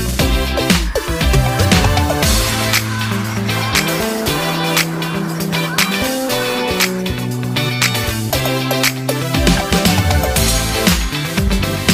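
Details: Loud rhythmic dance music with steady beat and bass fills the whole recording; no animal sound stands out.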